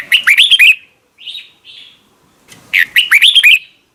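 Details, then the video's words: Red-whiskered bulbul giving two short, rich warbled phrases of quick slurred whistles for morning voice training in the double-note wild style, with soft, drawn-out whistles in the gap between them. "Luyện giọng cho chào mào hót sáng, ép chào mào hót âm kép già rừng hay tuyệt!"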